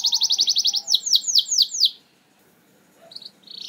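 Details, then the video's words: A canary's 'nembak' lure song for prompting reluctant singers: a quick high trill followed by five loud swooping whistles, then near silence before a brief buzzy restart. "Kenari Susah Bunyi! Bakal Langsung Respon Dengan Pancingan Kenari Nembak Ini"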